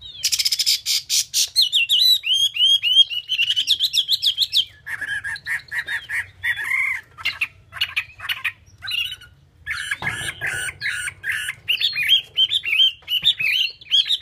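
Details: Chinese hwamei (Garrulax canorus) sings a loud, varied run of rich whistles, slurred phrases and rapid chattering trills, changing pattern every second or two.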